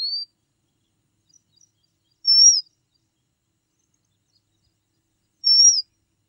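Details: Red avadavat uttering sharp, high, slightly downslurred whistles, repeated roughly every three seconds, plus a rising note at the start and a couple of faint chips in between; no other sounds.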